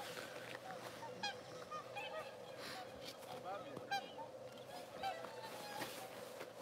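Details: Many swans in a marsh field at the International Crane Center near Kushiro, Japan, more flying in, give a steady chorus of overlapping honking, bugled calls, with a person speaking faintly now and then.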